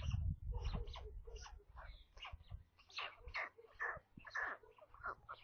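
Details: Nestling white storks in a nest near Kaluga, central Russia, during a midday feeding on 27 May, picked up by a nest camera; rapid series of rasping, chattering notes, roughly two per second, after an opening burst of low rustling and thumping.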